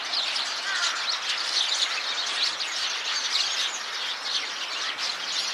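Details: A flock of Eurasian tree sparrows calls together inside a tree, while one sparrow that has left the group seems restless. The sound is a dense, continuous chatter of overlapping high chirps and tweets, steady throughout, with no other clear sounds.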